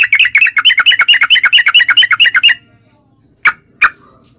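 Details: Sooty-headed bulbul song used as a lure for caged bulbuls, a fast two-and-a-half-second run of bubbly chirped notes, then quiet broken by two single sharp notes.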